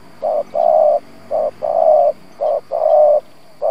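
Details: Low mellow coos from a decoy spotted dove, gù singing meant to draw in wild doves: short note and long note pairs repeated almost once a second in an even rhythm.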